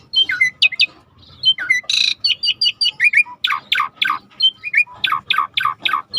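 A starling pours out a busy, varied song of clear whistles, quick downward-swooping notes and harsh rasping bursts, the phrases tumbling over one another with barely a pause.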